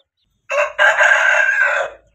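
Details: Aseel hen (Gallus gallus domesticus) crowing at the start of breeding season: one crow with a short opening note, then a long, hoarse, strained note held for over a second before cutting off.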